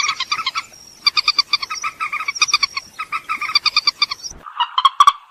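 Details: Purple swamphen, a bird of larger swamps and lowland reed beds: rapid series of harsh, nasal, harmonic-rich notes in bursts, with short gaps and a brief thin whistle before a few louder honking notes at the end.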